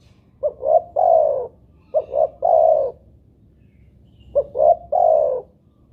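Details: Spotted dove cooing, used as playback to get other doves calling. Three soft, low phrases, each of quick clipped notes ending in a long, steady, hollow coo. A pause separates the second and third phrase; faint low rumble underneath.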